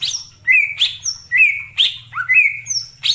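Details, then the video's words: Wild greater green leafbird in forest, calling in paired phrases: a sharp high note followed by a level whistled slur, repeated about once a second, with scattered thin high whistles above and a faint low hum. "suara cucak ijo di alam liar_ijo hutan"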